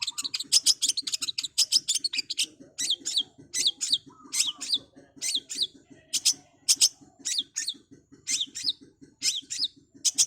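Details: Long-tailed shrike (cendet) in speedy training song: quick clusters of sharp, high, buzzy chips in paired and tripled strokes, repeated steadily, with occasional low warbled slurs and a faint rhythmic low ticking.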